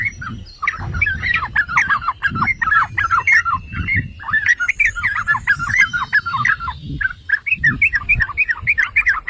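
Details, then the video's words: Yellow-vented bulbul chatter meant to trigger singing in other bulbuls: long, dense bursts of bubbly, slurred notes, briefly pausing near the start and again mid-way, with soft low rumbles underneath. "Pancingan dan Masteran Trucukan"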